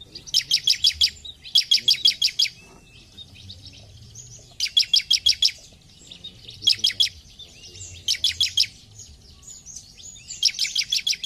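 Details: Bar-winged prinia song made of five dense bursts of fast, sharp, high chirps, each lasting about a second and repeated at fairly steady intervals of about two seconds.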